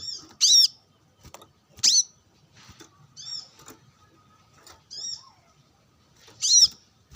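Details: Brown-throated sunbird, a bird being sunned and calling rival birds, answering wild birds: loud high sharp descending chips and short twittered phrases at irregular intervals, with quieter notes between.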